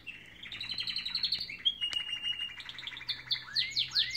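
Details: Canaries sing in the morning, pouring out rapid rolling trills and a sustained level whistle, then ending in a series of loud rising swept notes.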